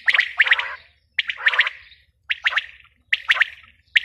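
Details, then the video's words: Female quail calling in short bursts of two or three sharp, clicking notes, each phrase followed by a brief pause and repeated roughly once a second, with a faint low hum underneath. "Batair ki awaz | Bater awaz | Quail sound | batai madi ki awaz"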